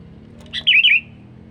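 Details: Sooty-headed bulbul calling to lure wild birds, giving a single brisk phrase of a short note and two linked, warbled whistles sliding downward. A soft low background hum runs throughout.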